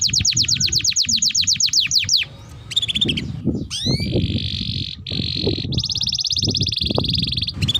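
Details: Canary singing long tutor phrases meant to train and lure young canaries: quick descending notes, a pause, a few upswept chirps, buzzy sustained rolls, then a fast bright trill, with faint low rumble beneath.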